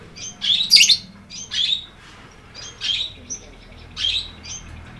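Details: Lovebird in 'ngekek' chatter, loud rasping squeaky bursts in groups about a second apart, with quiet gaps between and little background noise.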